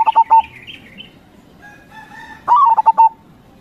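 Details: Local Indonesian zebra dove (perkutut lokal) singing in the crossing style: a stuttering coo phrase ends at the start, then a fresh phrase rises and breaks into quick repeated low coos. Fainter tonal calls fill the gap between.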